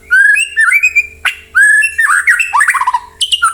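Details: White-rumped shama singing to draw other birds into replying: loud, varied whistled phrases, rich and fluty, with rising and falling notes and a sharp break midway, then quick warbled runs and high squeaky notes.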